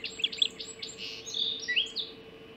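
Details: At the Hog Island Osprey nest, breakfast mackerel delivered at 04:50 on 30 June 2016: a quick run of shrill, piercing whistles and downslurred squeals packed into a couple of seconds, over a constant low hum.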